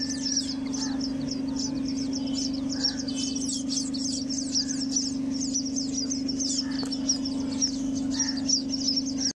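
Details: Indoor sparrow nest: a continuous run of sharp, high twittering chirps from several birds, uneven in rhythm, with a faint click and a steady low mechanical hum underneath.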